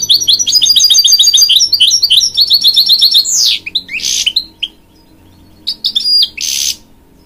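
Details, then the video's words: Singing to encourage young chicks, a hybrid goldfinch delivers a long, loud stream of rapid repeated high chirps, then sweeping whistles and rasping bursts after a short break. "A Hybrid Goldfinch Sings To Encourage Young Chicks"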